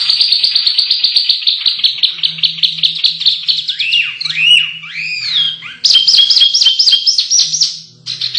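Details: Canary song for contest-bird training: a fast high trill, a few arching whistled swoops, then quick repeated chirping notes.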